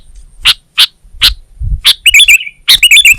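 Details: Sooty-headed bulbul (kutilang) in vigorous song for training captive Indonesian songbirds: three spaced sharp chips, then quick bubbly warbled phrases with ringing overtones.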